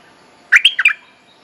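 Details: Bulbul courtship lure phrase for training young birds: four quick, slightly squawky chirps run closely together in under half a second, set against a soft background hum.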